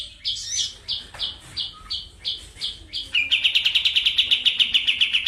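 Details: Medan-type kapas tembak white-eye, June 2025, gives a string of separate clear notes about every third of a second. These speed into a loud, rapid rolling trill, the rattling 'ngeroll' delivery, held to the end.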